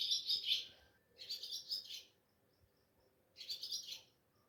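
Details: Ababil, or swallow, heard chirping at home before dawn at Sehri under moonlight, mobile recording; three bursts of high, rapid, buzzy twittering, with a low background hum.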